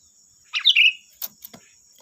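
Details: A single brief, gurgling phrase from a sooty-headed bulbul, sung lively as a lure to draw answering bulbuls, followed by a few faint clicks, with a steady high hum behind.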